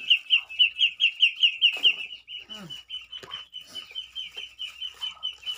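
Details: Pet crested myna in November rainfall gives a rapid run of sharp, high chirps, about four a second, softening after two seconds, with scattered clicks and knocks in the background.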